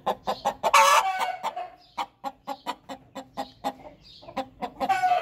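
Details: Hen calling after laying an egg: a loud series of short, sharp clucks in a quick uneven rhythm, with one longer harsh squawk near the start and a brief pause midway.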